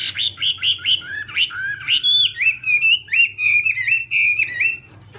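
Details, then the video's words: Chinese hwamei practising its morning song, strong rich whistles in quick varied phrases roughly every second, some swooping down then up, ending in softer notes. "hoạ mi hót sáng luyện giọng"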